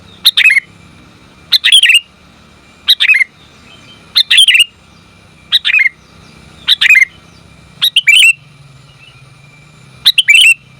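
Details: Sooty-headed bulbul, a female calling the male, used as a lure: short bright chirping bursts repeated about every one and a half seconds, each a quick cluster of sharp notes, with quiet gaps between.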